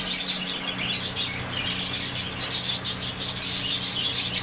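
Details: Budgerigars kept as pets, giving high chirping and warbling calls that build into dense bursts of twittering toward the end, over a steady low electrical hum.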